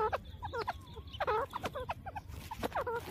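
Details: Grey francolin checking for food in jungle, giving quiet broken clucks and short chuckling notes in small clusters, over a constant low hiss.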